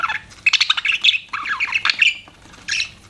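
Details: Pet budgerigars chirping: a busy run of scratchy, warbling squawks and chirps in quick irregular bursts, harsh and chattering, with short pauses between phrases.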